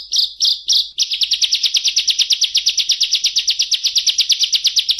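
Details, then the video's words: Lively bar-winged prinia on a training track for competition birds: three slow, emphatic high notes, then the song speeds into a long rapid run of sharp chips. "Masteran Ciblek Gacor Nembak Ngebren Rapat Jernih Cocok Untuk Burung Lomba"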